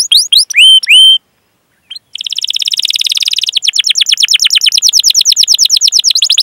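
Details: Chatty canary with long rolling cuit-cuit song for prompting other canaries. A few clear whistled notes, a short silence, then an extended rapid rolling trill that carries on to the end.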